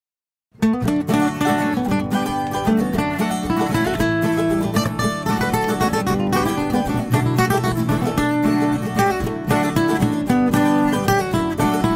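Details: Plucked string music, guitar and mandolin strumming steadily, with no animal sound at all.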